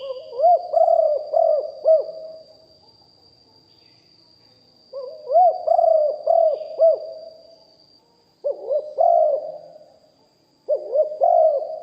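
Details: Deep-voiced decoy spotted dove in a live recording, singing lio hoi style cooing: four phrases of low, rounded, hooting notes, each phrase a quick run of arched coos, separated by pauses of one to two seconds, with a thin constant hum.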